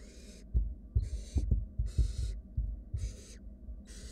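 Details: Barn owl nestlings, wild, in a nest box where one sibling is swallowing a rat, produce steady breathy screeching hisses about every second. Dull thuds of movement punctuate the calls.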